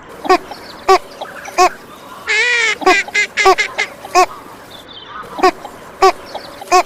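A female northern shoveler gives short, nasal quacks at an irregular pace, about a dozen in seven seconds, with one longer drawn-out, falling quack midway.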